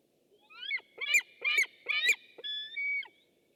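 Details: White-tailed eagle recorded by webcam on 6 August 2015: a rapid series of four harsh, shrill yelps followed by two cleaner, drawn-out whistles, all high-pitched and loud against a quiet background.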